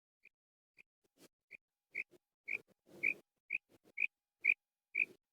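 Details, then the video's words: Female quail calling in a natural recording meant for hunting: clear single notes repeated about every half second, rising in loudness, with faint rustling and knocking sounds beneath. "Female Quail Call Sound Effect,Female Quail Calling Sound for Hunting,Madi Batair Ki Awaz Real Sound"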